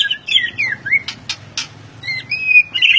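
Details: White-rumped shama giving looping whistled phrases broken by three crisp clicks, then a long clear whistle, over a low background hum.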